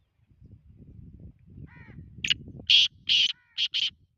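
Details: Black francolin giving its call, a string of loud, raspy, buzzing notes delivered in uneven rhythm. A fainter nasal note comes first, over soft low rumbling background noise.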